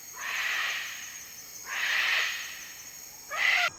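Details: Male Magnificent Riflebird during its courtship display in West Papua rainforest, giving three loud, harsh, raspy breath-like calls, each about half a second to a second long, with a steady insect hiss behind.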